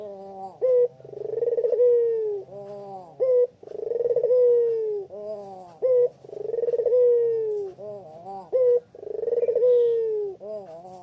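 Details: Spotted dove (puter pelung) calling as a lure for other doves, Kuta, Bali, in the afternoon: steady repeated phrases about every three seconds, each a short clear coo followed by a purring roll and a long descending coo.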